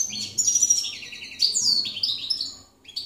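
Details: 2017 recording of a campero goldfinch: two bursts of sweet, slurred whistles and rattling chirps, each tailing off, then a short silence and a final note.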